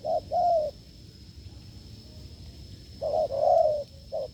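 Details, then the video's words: A wild field spotted dove met in a failed lure test gives a short-long low coo, falls silent for two seconds, then resumes with a louder drawn-out falling coo and another brief note, faint high whine throughout. "đụng bổi đồng gù cứng,gù lợi cốt quá phê"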